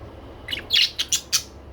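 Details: Pet budgerigars giving a quick run of bright, high chirps and short scratchy squawks, four or five notes in under a second, over a faint low indoor hum.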